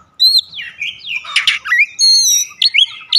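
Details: Oriental magpie-robin trigger song for daily use: a rapid run of sweeping whistles, harsh rasping notes and a sustained level whistle near the end, all loud and close.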